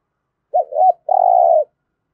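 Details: One clear spotted dove coo used to prompt caged birds into calling, 'thổ' voice: a pair of rounded, bending notes leading into a sustained, slightly trilled coo, clean background.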